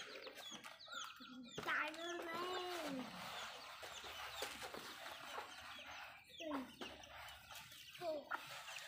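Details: Feeding backyard hens heard in a noisy run, with soft clucks, a drawn-out arched moan, and scattered short calls over broad rustling background noise.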